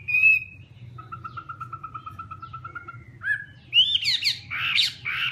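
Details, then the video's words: Chinese hwamei opening with a clear sustained whistle, then a steady series of evenly repeated lower notes, followed by a sharp upslurred note and a burst of harsher, squealing phrases. "Garrulax canorus/ Birds singing"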